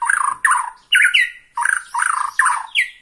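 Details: Excited Bornean white-rumped shama facing a rival, giving loud repeated phrases of rich slurred whistles, each about half a second long, with short pauses between them.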